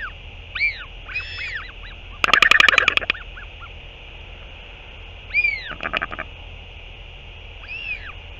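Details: Northern royal albatross feeding a chick after the parent's return, dated 08 06 2023. Bowed wailing calls frame two bursts of fast, hard clattering, the first loud and about a second long, the second shorter.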